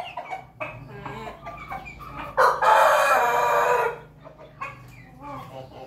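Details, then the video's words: A rooster of the Pelung breed from Jogja gives a loud, strained crow of about one and a half seconds, with softer clucks and murmuring before and after. "ayam pelung ketawa bangkok persilangan ayam berkokok jogja"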